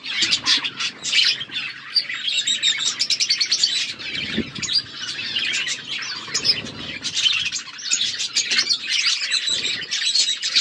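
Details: Aviary budgies keep up a lively chorus of bright chirps and fast trilled warbling, loud pulsing bursts running almost without pause, with occasional soft thumps.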